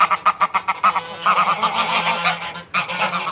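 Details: Adult greylag goose threat display: rapid harsh cackling honks, about two per second, then a rasping, breathy hiss before another burst of cackling.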